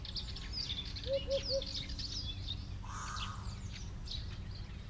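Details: Eurasian hoopoe (Upupa epops) at Buckowsee, westernmost Havelland, Brandenburg, in breeding season among old dead wood and open areas, gives a soft, low, hollow, evenly spaced 'hoop-hoop-hoop'; small birds chirp high above over a steady low wind rumble.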